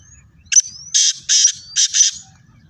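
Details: Black francolin in Pakistani fields gives a loud grating call. A sharp opening note is followed by four scratchy, buzzing bursts in quick succession, with faint thin whistles between.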